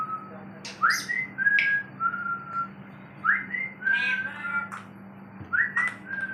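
A grey parrot gives clear whistles, short rising swoops and flat notes, mixed with a few harsh clicks every second or two over a low steady hum.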